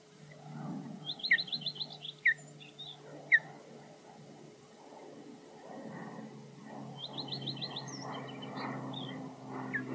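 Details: An osprey at Loch Garten, Scotland, defending its nest against flyovers with a slight dive bomb, gives two bursts of rapid, high whistled chirps with sharp single yelps between, over a low steady hum and wind.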